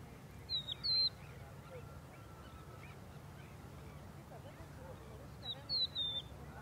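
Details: Crested lark (Galerida cristata meridionalis) at Angelochori lagoon, Greece, April 2024: two short phrases of clear, liquid, slurred and falling whistles about five seconds apart, over a low steady rumble.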